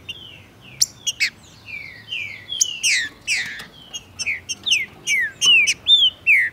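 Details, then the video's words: Green-winged saltator male from Brazil singing fast and eagerly during tournament and breeding season, with a female nearby: a long string of sliding whistled phrases, many falling in pitch, mixed with sharp clicks and short chips. "ABRINDO CANTO COM VONTADE E VELOCIDADE! TRINCA-FERRO FIBRADO COM MACHEADO DE FÊMEA."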